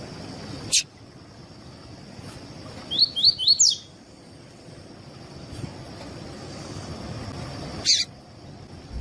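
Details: Double-collared seedeater singing the tuí tuí style song, used by breeders to teach and warm up other seedeaters: one quick phrase of four rising whistled notes, with sharp clicks before and after and a steady high hiss.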